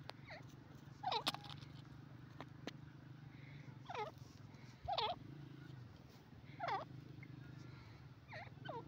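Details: Yellow francolin, known locally as Sindhi teetar, giving a series of harsh, descending wavering calls repeated about every two seconds over a low steady hum.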